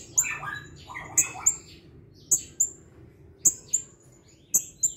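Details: Blue-crowned hanging parrot, singing actively and answering a lure recording at once: sharp, very high, thin notes given singly or in pairs every second or so, mixed with lower, descending warbled phrases.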